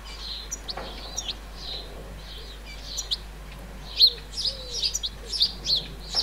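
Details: Young European goldfinch in a flower bed in the central French countryside, 30 July 2019, giving scattered high chirps that grow louder and quicker toward the end, with a few soft lower notes beneath.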